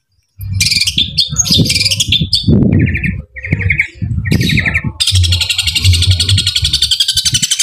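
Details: Long-tailed shrike in fighting mode, singing a long song with sparrow-imitation bursts. Scattered high chirps and short trills over heavy low thumping and handling noise, then a dense, rapid, unbroken high chatter for the final seconds.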